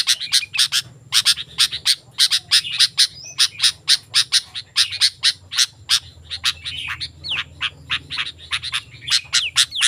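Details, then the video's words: Lure recording of a sooty-headed bulbul for attracting wild birds: near-continuous rapid, bright chipping notes, sometimes doubled, broken by short gaps and a few bent whistles, over faint low hum. "Suara Burung Kutilang Gacor, Ampuh untuk Masteran dan Pikatan Burung Kutilang Liar Langsung Nyaut"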